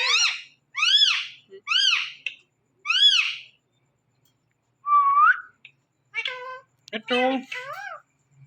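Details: Indian ringneck parakeet on a Thursday night giving four loud, arched, harmonic calls about a second apart, then a smooth whistled note and several short, clipped, voice-like syllables.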